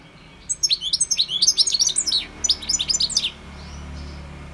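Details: A European goldfinch sings a fast, tinkling run of high twittering and liquid trilled notes, about three seconds long, with a faint low hum behind.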